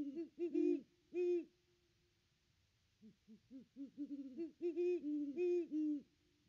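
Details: Nest-tree recording of a Great Horned Owl on Christmas Day 2021: a few strong deep hoots, a two-second pause, then a long, quickening series of softer hoots building back into loud, rounded hoots.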